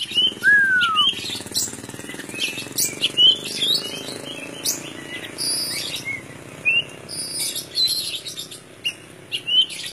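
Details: Oriental magpie-robin (kacer) singing actively: scattered clear whistles, one sliding downward early on, plus short high chirps spaced through the clip over a steady background hiss.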